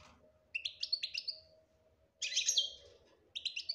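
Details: Goldfinch song in the betbta and tasfia style: three short bursts of tinkling, trilled twitters separated by pauses, over a steady low hum and faint background noise.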